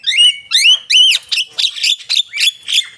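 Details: Javan myna singing loud, clear whistles that rise and arch, followed by a rapid sequence of harsher, buzzy rising notes repeated about every quarter second.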